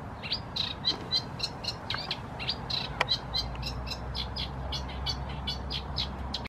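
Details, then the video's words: A Eurasian reed warbler sings from the reeds at Herzliya Park (HaBassa reserve), Israel, on 9 May 2015. It chatters steadily in rapid, scratchy, mid-to-high notes, about three or four per second, over a low background rumble. "שירת קנית קטנה - Eurasian reed warbler song"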